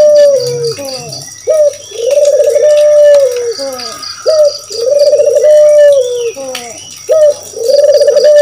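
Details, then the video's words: Spotted dove (puter, Balinese kedis kuteh) calling, used as a lure to get other birds singing: short falling notes lead into long, steady, mellow coos, the phrase repeating about every two to three seconds, with a faint high rhythmic ticking behind. "Suara Burung Puter Masteran || suara pancingan"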